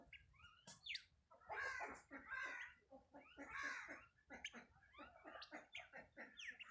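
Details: Free-range farmed helmeted guineafowl (Numida meleagris), described as healthy birds, giving harsh, grating cackles in rapid, uneven bursts.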